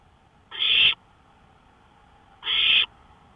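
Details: Porch recording of an owl after midnight on 5 May 2013. A pair of short, coarse, hissing screams about two seconds apart over a faint steady background.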